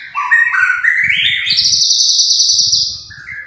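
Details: A White-rumped shama, called murai batu, sings gacor: a brisk climbing run of whistled notes leading into a long, bright, sustained high trill, then a short lower whistle, with soft low thumps beneath.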